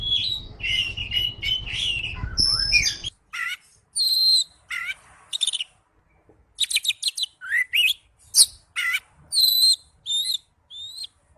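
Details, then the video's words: Oriental magpie-robin (kacer) singing in the ngipas style with a loud, clear voice: varied high whistles, chirps and slurred notes in quick bursts; a low hum and rougher notes fill the first three seconds. "Suara burung kacer ngipas thes best plong"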